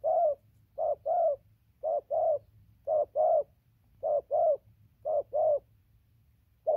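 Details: Continuous cooing of a newly caught spotted dove, 15/11/2020: deep, soft coos delivered in steady doublets about once a second, with a quiet low hum.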